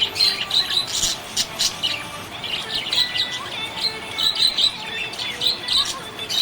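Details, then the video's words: ['Contented budgie giving rhythmic high chirps and sharp clicks in quick succession, forming a continuous twittering stream with regular louder peaks.'] "Happy budgie chirping sound"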